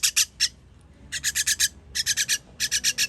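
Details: Chicks begging while being fed, dated 21.06.23: harsh, rasping broadband bursts delivered in quick runs of three to five, with short pauses between runs.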